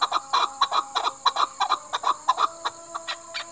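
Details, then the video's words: Chukar, Pakistan's national bird, producing quick repeated hoarse clucks, often in doubled pairs, fading slightly toward the end, with a persistent high-pitched whine in the background. "Chakor ki awaz|Chakor sound"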